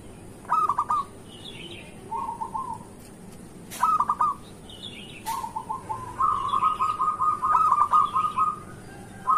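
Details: Lively local zebra dove song for luring reluctant doves to sing in the morning: short bursts of rapid coos, then a longer rolling run, with faint high chirps from another bird in the background.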